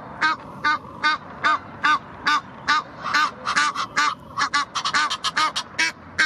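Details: Egyptian geese at the Blies in Ludwigshafen am Rhein calling aggressively while defending territory; rasping honks in a steady rhythm that quicken and overlap midway as a second bird joins, then settle back into a regular series.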